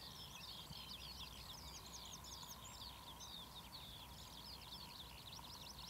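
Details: At Academy Pools in Cleadon, 6 June 2008, a marsh warbler delivers rapid, varied high twittering phrases with whistled sweeps and chatters, continuing without pause against a faint steady hum.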